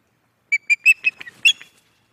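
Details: Resident female osprey calling at her nest at Loch of the Lowes on 11 May 2024, around evening: a short series of clear, whistled piping notes, about six in under two seconds, slightly rising then breaking.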